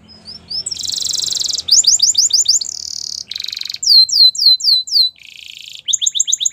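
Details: Russian canary singing a rapid series of varied tours: a buzzy high roll, a fast run of downward-slurred notes, a steady trill, then sweeping descending whistles and a short chattering close.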